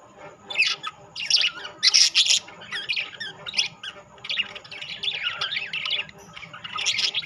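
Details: Budgerigars, rainbow and classic colour varieties kept together, chattering in dense overlapping warbles, squeaky chirps and scratchy trills, with louder bursts near two seconds and a steady faint hum underneath.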